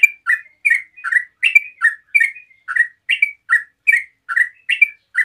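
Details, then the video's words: Sooty-headed bulbul in rapid 'ngeropel' song, played to prompt other bulbuls to reply: an unbroken run of short, bright, chirping notes alternating up and down, about two or three per second, with no other sounds. "TRUCUK NGEROPEL SANTAI BUAT PANCINGAN TRUCUKAN LAIN LANGSUNG NYAUT"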